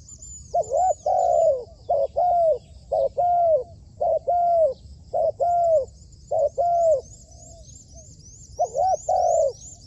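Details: Spotted dove being trained as a decoy gives a run of soft, hollow, slightly arched coos about once a second, while small birds chirp thinly in the background.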